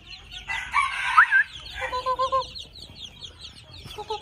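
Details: Two-month-old red junglefowl making a harsh, broadband squawk of about one second, then a short run of clear, mid-pitched tonal notes, over steady high-pitched chirping in the background.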